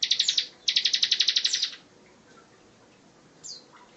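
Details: A bar-winged prinia delivers its rapid 'tembakan rapat' song for songbird training: two machine-gun bursts of piercing high notes, about a dozen per burst, then near silence with one faint slurred chirp.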